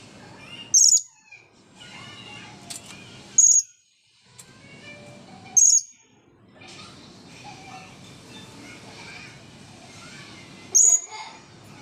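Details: Shrill thin squeaks from a blue-crowned hanging parrot, dried off after bathing, in front of the camera: four piercing high notes spread unevenly across the stretch, with faint low background noise between them.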